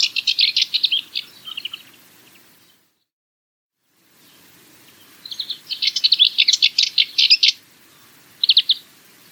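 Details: Cyprus Warbler song, a small warbler breeding only on Cyprus: a rattling chatter, a silent gap, then a longer harsh run of rapid notes followed by a short final burst.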